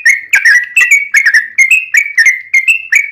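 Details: Yellow-vented bulbul giving a long, rapid fighting song used as a lure to make other bulbuls sing: bubbly, slurred whistled notes in quick pairs and triplets, repeated steadily without pause, loud and close.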